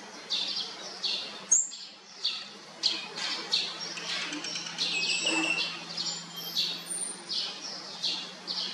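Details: Fourth brood of olive-backed sunbird nestlings being fed: rapid high chirps in repeated pulses, rising and falling in loudness, over a constant low hum and a single sharp click.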